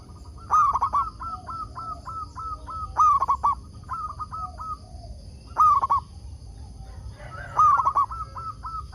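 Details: Decoy zebra dove of local stock, used to lure wild doves into replying: four loud rolling cooing phrases spaced about two and a half seconds apart, each trailed by a run of short even notes.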